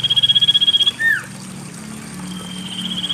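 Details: Common iora singing as a lure for lazy birds: a fast high trill ending in a swooping downward note, then a pause and the start of another thin, level trill, with trickling water throughout.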